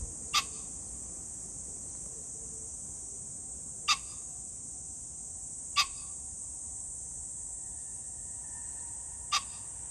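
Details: Pheasant recorded on 21 July 2024, repeating a short, loud, grating burst four times at irregular gaps of two to four seconds. Shrill insects drone continuously, and faint notes from other birds are heard.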